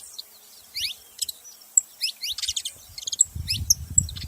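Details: Saffron finch calling: sparse, high, bright chirps and short downward slurs at irregular intervals, with low rumbling background noise building toward the end.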